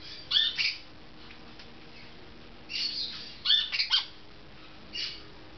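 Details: Golden-winged parakeet kept as a pet, calling during bath time indoors: scattered bursts of sharp, raspy, high-pitched squawks and chirps, some in rapid doubled pairs, separated by short pauses.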